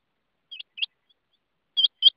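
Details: Rain quail calling: two pairs of short, sharp, metallic doubled notes, each pair quickly repeated, separated by about a second of silence; no other sounds.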